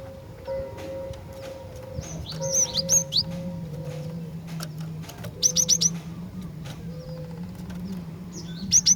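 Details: High, sharp chip notes from a female Javan sparrow calling to males, in scattered clusters of three or four over nine seconds, while a lower, repeated whistled note and steady background hum continue underneath.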